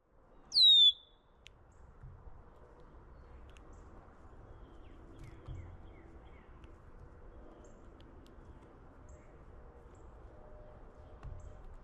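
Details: Red-winged blackbird on a backyard feeder tray gives one loud, piercing high whistle that slides steeply downward near the start, followed by near quiet with a few faint soft chirps and a low background rumble.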